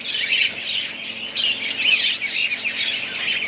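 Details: Several budgerigars chatter together in dense, overlapping warbles and squeaky chirps. The sound is continuous, high and scratchy, with brief whistled notes rising and falling throughout.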